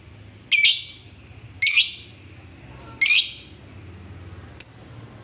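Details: Lovebird lure call aimed at a rival: a few shrill, grating squawks about a second apart, the last one short and clipped, over a soft low background hum.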